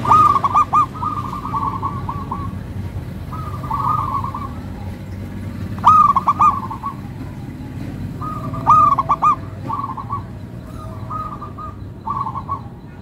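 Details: Local zebra dove (perkutut lokal), a kept songbird, giving a melodious series of rolling coo phrases with loud clipped bursts at intervals and softer answering coos between.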